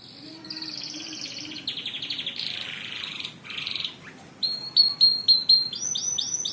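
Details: Canary song, described as good tutor material for training other birds: a varied high sequence of buzzy rolls and bright trills, a brief drop, then crisp whistled notes in a quick repeated series toward the end.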